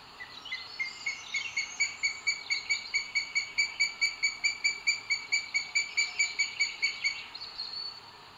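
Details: Booted eagle on a live nest camera in Sierra de Guadarrama natural park, Spain, 2 June 2022, male arriving with food for the female; a long, even series of piercing, high repeated notes that swells then fades.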